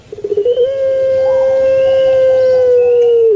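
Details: Kept puter pelung dove from Indonesia, its long thick 'kwok' call: a quick burst of rapid pulses flowing straight into a loud, smooth, level hoot sustained almost three seconds, drooping slightly at the end.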